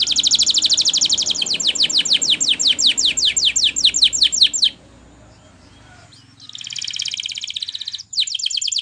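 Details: Training song meant to get a canary singing again: a loud run of sharp downslurred notes at a steady rapid pace, a short quiet pause, then a dense high rolling trill and more swept notes.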